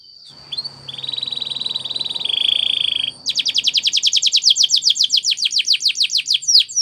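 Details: Canary training song of the Spanish Timbrado type: a steady high metallic trill for two seconds, dropping slightly midway, then a loud run of quickly repeated sharp chipping notes.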